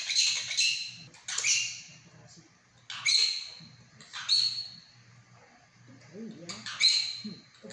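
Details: Monk parakeet mimicking Mandarin speech at home, phrases such as 'stop talking': strained, high, rasping syllables in several separate bursts, with a faint low warbling voice in the background.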